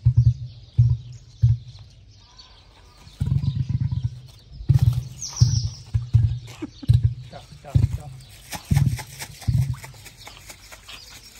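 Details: Male Australian emu voice: deep, low thudding booms repeated in short pulses, roughly one or two a second with brief gaps, alongside people talking and some scuffing sounds.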